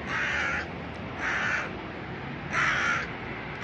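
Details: Crow in a noisy city that has found a piece of food and refuses to share, cawing at the person filming: three harsh, drawn-out caws about a second apart over traffic hum, with a man speaking Russian around them.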